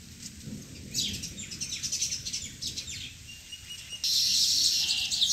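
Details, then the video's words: Sparrows at a nest giving rapid, high, twittering chirps in overlapping bursts, growing louder and denser toward the end, over a low background hum. "Beautiful Sparrow Nest and Amazing Sound"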